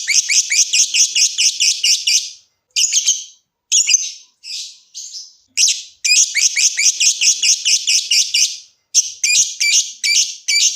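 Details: Caged lovebird trilling: long runs of rapid, pulsing high chatter, broken by short pauses and a few squeaky buzzy notes, with the rattling rhythm resuming after each break.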